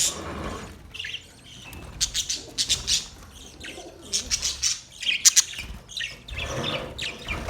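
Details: Colony budgerigars, with bursts of loud scratchy chirping that come and go in clusters, and quieter pauses between the busier stretches.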